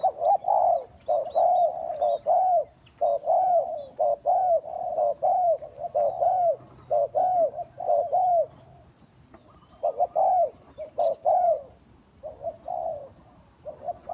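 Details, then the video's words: Spotted dove lure call used for bird trapping: low, mellow coos repeated in steady phrases, roughly one per second, with short gaps and a faint background hiss. "Tiếng chim cu gáy mồi chuẩn gáy gọi cực hay"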